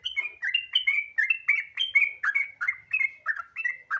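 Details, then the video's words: Sooty-headed bulbul song used as a lure to prompt other bulbuls to sing: a lively run of short warbled whistled phrases, about a dozen notes sliding between mid and higher pitches, delivered briskly and continuously. "Pancingan Trucukan Gacor Ropel Santai Sangat Ampuh Bikin Trucukan Lain Cepat Bunyi Gacor Ropel"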